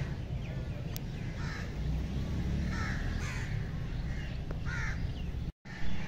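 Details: Crane flock calling: several harsh, trumpeting notes come in loose bursts every second or so, partly masked by a heavy low rumble, with a brief dropout near the end.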